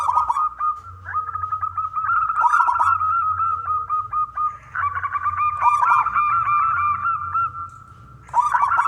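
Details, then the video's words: Strong-voiced local zebra dove, kept singing to draw other doves into song: rapid staccato cooing in long rolling phrases, several overlapping, with a short quiet gap near the end and low background hum. "perkutut lokal gacor suara besar"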